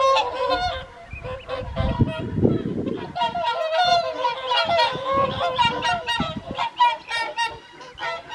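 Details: Whooper swans at an evening feed on Caerlaverock's Folly Pond, January 2023, heard from an overlooking farmhouse; continuous overlapping honking from many birds, with a low rumble of splashing or handling noise early on.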